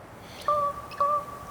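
A Common Raven gives two clear, steady, bell-like notes about half a second apart, each held briefly at a level pitch, against a faint background hiss.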